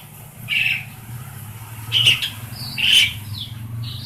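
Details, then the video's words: Pet black-collared starling, tame and kept for training other birds: three short harsh squawks about a second apart, with faint higher notes between, over a steady low hum. "Suara jalak uren receh jinak.. cocok untuk masteran"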